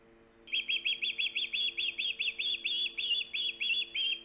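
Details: Nest-cam osprey on Hog Island, 3 September 2019, giving a steady train of about twenty-two shrill, slightly buzzy chirps at a brisk even pace, over a soft steady hum.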